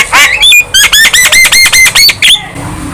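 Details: Energetic song from a young Javan myna nodding its head: a rasping opening, then about eight evenly spaced arched whistled notes in quick succession, ending in quiet.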